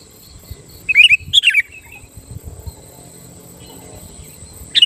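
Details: Sooty-headed bulbul song used to provoke rival bulbuls: a rapid pair of bubbly, tumbling phrases early on, then quiet, and a single sharp note at the very end, with a continuous high hiss in the background.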